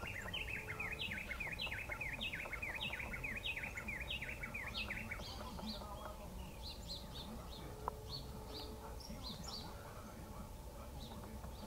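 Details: Rufous-tailed jacamar giving a rapid run of sharp, downslurred high notes, about one or two per second, that break into scattered higher notes later. A constant low hum and a faint voice sit underneath.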